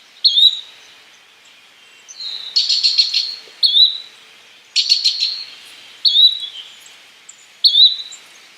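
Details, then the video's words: Yellow-bellied flycatcher giving brief rising whistled notes, roughly every second, interspersed with two fast stuttered trills of dry clicking notes, against a quiet background. "Yellow bellied Flycatcher Bird Sound, Birds Call"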